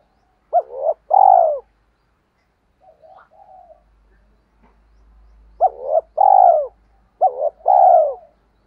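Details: Wild doves are lured with this spotted dove call, a double-note-plus-long-coo phrase, faint muffled notes in between, then two more phrases in quick succession, each ending in a descending drawn coo.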